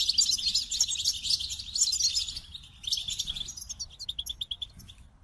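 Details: Goldfinch singing a fast, dense jangle of high twittering notes and buzzy trills, later shifting to quicker repeated chips about four per second; faint background hum.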